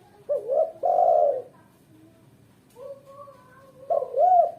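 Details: Lure and tutor recording of a vocal female spotted dove: low husky coos open and close the passage, a quieter, thinner coo in the middle, with quiet gaps between.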